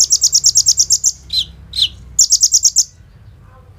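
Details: Sunbird called kolibri ninja in full voice, with imitated bren and rambatan phrases, recorded on an Oppo A37f as a training lure: a rapid high trill, two lower downslurred notes, then a shorter trill before quiet.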